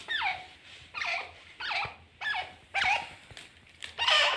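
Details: Grey francolin pair calling, a series of six harsh, squeaky notes, each sweeping steeply downward, repeated roughly every 0.7 seconds with a slightly uneven rhythm, in a quiet setting with a faint low hum.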